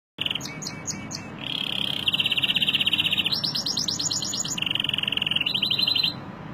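A canary sings loud, rapid trills, shifting between high rolling tours and sharper chip phrases, with a faint background hum.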